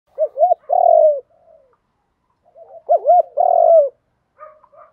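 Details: Spotted dove giving the Thúc Đấu style calling coo, used to lure and provoke wild doves; two phrases of low, hollow, throaty coos, each a pair of short notes followed by a longer drawn-out falling coo, separated by a pause.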